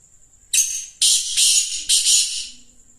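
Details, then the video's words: Black francolin, known locally as kala teetar, giving a harsh, grating, rasping phrase of one burst followed by three quick loud scratchy notes, over a thin steady high-pitched whine in the background. "Kala teetar ki Awaz"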